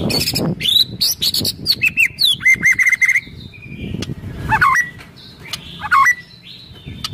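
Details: Murai batu, or white-rumped shama, in vigorous kretekan song intended to rile up other birds, 24 January 2023: high chirps and a quick series of short whistles, then scattered looping whistled phrases over soft background rustling.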